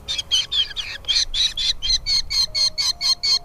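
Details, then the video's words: Falcon babies in the nest call hungrily at feeding time. The calls are a continuous run of shrill, rasping notes, rising and falling, about two per second. "mother birds brings food to feed her chicks in the nest, Falcon babies feeding"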